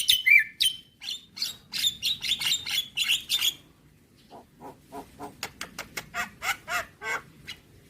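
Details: Javan myna, caged, opening with a long harsh rattling phrase and slurred whistles, then a rapid series of evenly spaced sharp clicks, about four per second.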